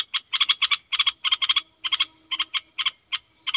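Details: Bulbul kept as a decoy bird, recorded in December 2021: clusters of quick, bubbly harmonic notes, two to four at a time, repeated in short bursts with brief gaps, against an otherwise quiet background.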